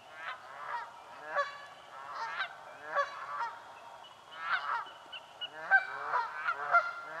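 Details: Close, loud honking from Canada geese fighting for nesting spots in a swamp: rapid, irregular nasal honks roughly once a second, growing denser and overlapping toward the end.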